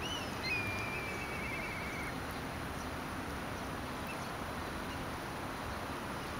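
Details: One of three grey-tailed tattlers running on a Wakayama mudflat, Japan, searching for food about 8:36 am on 13 May 2011, gives a clear, high whistled note that runs into a quick, fading string of shorter notes, over steady wind or water noise.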